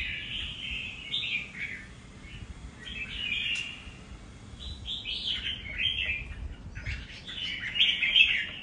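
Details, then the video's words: Red-whiskered bulbul delivering nước Hậu style song: a run of lively, fluty warbled phrases with short gaps between them, clear above faint low background hum. "Cùng xem Nết của 1 CB Cọp với nước Hậu chơi cực đẹp mắt"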